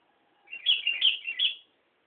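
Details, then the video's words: At Nambangan a sooty-headed bulbul gives a bubbling phrase of about six rolling whistled notes over roughly a second, wavering up and down in pitch, with a faint low murmur underneath. "Kicau Burung Kutilang"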